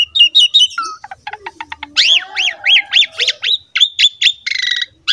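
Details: Asian pied starling in energetic gacor mompa song, played as a lure to prompt young starlings of either sex to sing. Rapid varied phrases: harsh chatter and a clicking series, then repeated rising-falling whistled notes and buzzy rattles.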